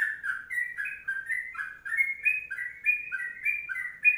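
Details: Sooty-headed bulbul singing a long 'kongslet panjang' song: a steady stream of short, fluty, warbled notes that step up and down, almost two a second, with no other sound behind it.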